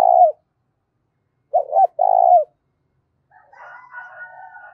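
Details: Spotted dove giving its loud coo, meant to rouse decoy doves. A purred note ends, then a doubled note and a long rolling purr follow, and finally a soft, wavering noise.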